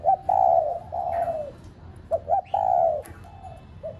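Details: Spotted dove decoy calling to rouse caged doves: long sustained coos alternating with short doubled notes, mellow and gently falling.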